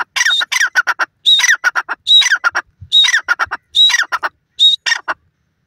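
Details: Francolin calling in loud, harsh, rhythmic phrases. Each phrase is a clipped high whistled note followed by a burst of rapid scratchy, squawky pulses. About six phrases are separated by short silent gaps over roughly five seconds, with no other sounds.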